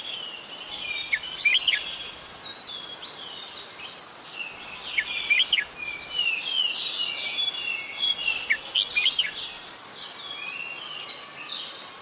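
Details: Adult red-whiskered bulbul at Ubon Ratchathani, Thailand, in December 2020, giving several short clusters of clipped chirps spread through the recording against a busy, continuous backdrop of other birdsong.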